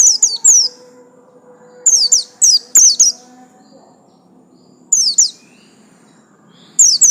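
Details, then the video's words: Caged pleci buxtomi white-eye, a yellow-lined type, uttering scattered clusters of high, steeply descending whistles with trailing trills, with quiet pauses and a faint low hum. "absen garis kuning pleci buxtomi"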